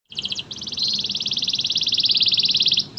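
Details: Lively varied canary song from local, AF and AFS canary types: a short stuttered double-band burst, then a long fast even trill of bright buzzy notes lasting over two seconds, ending with a brief high note.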